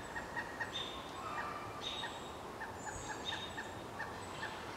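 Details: Pileated Woodpecker chicks a day from fledging, in a nest about 25 feet up a dead snag, call to a parent that answers: quick runs of short clucking notes with thin higher squeals over a steady hiss.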